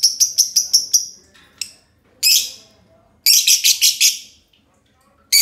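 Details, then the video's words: Two green lovebirds in a long ngekek duet: an opening rattle of quick shrill chirps, then broken bursts of raspy chatter and a fresh run of rapid notes, high and piercing throughout. "Kolaborasi dua love bird hijau ngekek panjang"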